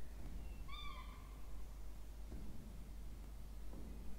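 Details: Peregrine falcon chicks, two, in a university water-tower nest box at Orange, Australia, 20 October 2024, during feeding; one thin, trailing whine early on, then soft shuffling and low hum.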